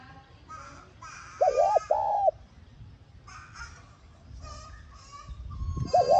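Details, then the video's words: Calling spotted dove meant to excite a decoy into song: a doubled wavering coo and a longer arched coo, surrounded by busy chirps and twitters of other small birds throughout, with a new coo starting at the end. "Tiếng Cu Gáy Hạp BổI [ TGÁY GỌI ] Kích Bổi Nhanh Nổi"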